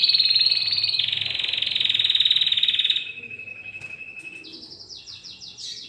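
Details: Domestic canary kept at home, being trained to sing by hearing recorded song: a loud, fast rolled trill held for about three seconds, then a thinner steady trill, ending in quick higher chopped notes.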